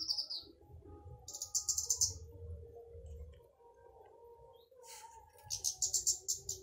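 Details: Flowerpecker, called kemade or burung cabai, singing loudly as a lure to make other flowerpeckers sing; high, thin buzzy trills in bursts with short sharp notes, over a low background hum.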